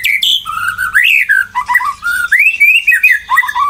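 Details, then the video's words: White-rumped shama in full, loud song, used to provoke other shamas into singing. A rich, continuous run of varied whistled phrases with rising and falling slurs and quick warbled notes, without pause. "murai batu gacor ngeplong AMPUH buat pancingan murai batu agar bunyi"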